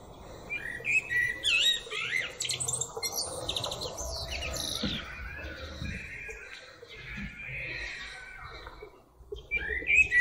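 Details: Common blackbird singing short fluted whistled phrases with thin twittery flourishes, given in bursts between pauses over a busy background of other faint chirps and low rumble.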